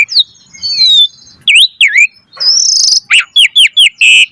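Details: Asian pied starling giving a lively, full and varied song used as a lure to get other starlings singing: loud slurred whistles, a buzzy rasping note, then a run of quick falling whistles ending in a steady tone.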